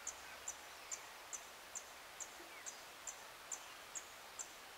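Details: Blue-and-yellow Tanager (Rauenia bonariensis) singing at 7:13 AM on 26 April 2022: a steady run of thin, very high, short notes, about two per second, over soft rustling background noise.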